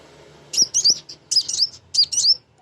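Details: Energetic female sunbird (kolibri ninja) used as a lure for young birds: three quick clusters of sharp high twittering notes with small upward flicks, each cluster under half a second and separated by brief gaps.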